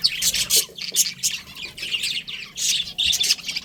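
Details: Budgerigars chattering with bright, sharp chirps and short whistled notes in quick irregular bursts, several birds calling over one another.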